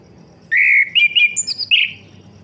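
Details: Orange-headed thrush singing, used to rouse a silent bird into song: a loud, rich whistled phrase opening with a held note, then quick stuttering warbles climbing higher before a final slurred whistle.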